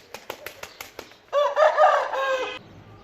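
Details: Rooster crowing, a single harmonic-rich crow lasting about a second, preceded by a series of sharp wing-flap or tapping bursts.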